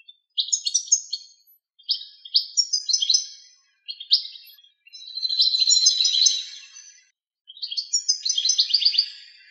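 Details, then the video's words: Common reed bunting (Emberiza schoeniclus) in Greece, with short, high, jangling phrases of a few chirpy notes every two seconds or so and a longer buzzy run in the middle; the song is a composite of separate recordings, not this distant bird. "Καλαμοτσίχλονο - Common reed bunting"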